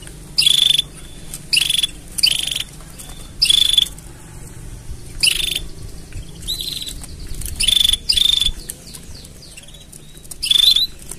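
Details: Canary mating song in a string of short, bright, buzzy trills, about ten bursts spread unevenly over the stretch, each well under a second, high-pitched and rattling over a quiet low hum.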